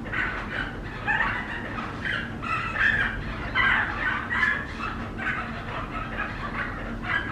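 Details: Rescued flamingo chick, one of many abandoned by parents fleeing drought at a dried-up dam, being formula-fed at a rehabilitation centre; raspy, wavering begging calls come in irregular bursts, with handling noises.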